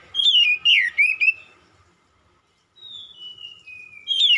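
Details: Oriental magpie-robin song used to provoke a reply: a quick chain of warbled, sliding whistles, a pause, then a thin falling whistle and another bright phrase starting.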